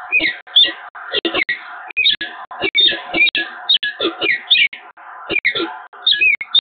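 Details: Peregrine falcons at the Evoluon, Eindhoven, on 7 March 2022, in an extended getting-acquainted exchange. Harsh, harmonic calls are repeated rapidly in uneven bursts with short gaps, sometimes rising, and keep going throughout.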